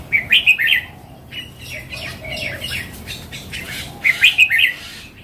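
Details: A mature wild red-whiskered bulbul gives two short, lively phrases of rapid, chirpy whistled notes, one at the start and one near the end, with soft chatter in between.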